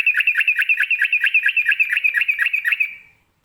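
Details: Sooty-headed bulbul (trucukan) singing in the rapid ropelan style, used to make other birds answer: a fast run of about fourteen chirpy notes, roughly three per second, lasting three seconds before fading, against a quiet background.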